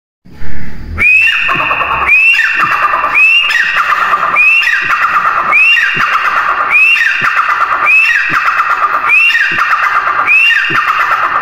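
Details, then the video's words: A grey francolin gives loud, harsh, ringing calls, each sliding high then dropping, repeated about once a second in a steady series of around ten. "Teetar ki awaaz | teetar ki awaz | gray francolin teetar voice"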